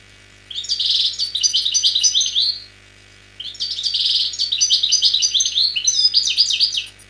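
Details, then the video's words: Song of a wild European goldfinch from Algeria, year 2003: two separate phrases of fast, bright twittering with buzzy trills, each roughly two seconds, separated by a short silence, a soft constant hum underneath. "حسون خلوي جزائري chant très très rare année 2003"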